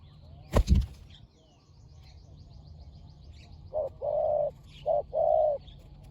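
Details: Near the start a sharp thud sounds among faint twittering. Then a spotted dove from a fierce decoy pair gives two phrases, each a short coo followed by a longer, fuller one.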